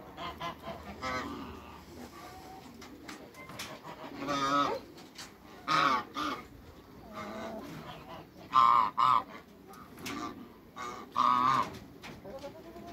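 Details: Backyard African geese, a giant couple kept with other waterbirds, give harsh, trumpeting honks, often doubled, in bursts a few seconds apart over a murmur of farmyard calls.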